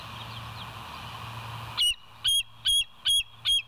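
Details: Bald eagle at the West End nest, filmed by a live nature cam on 29 August 2023 around 7 a.m., gives five high piping notes in a row after a stretch of steady background hiss.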